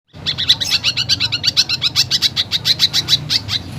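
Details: Greater green leafbird singing a lively song filled with imitations of fighting sparrows and woodpeckers: a fast, steady string of sharp high chirps, about six each second, over a low background rumble.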